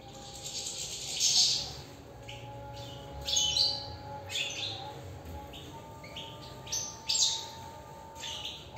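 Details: European goldfinch singing from inside its cage: loud, liquid twittering phrases with buzzy, tinkling notes, rising in several bursts over nine seconds, with a faint steady hum behind.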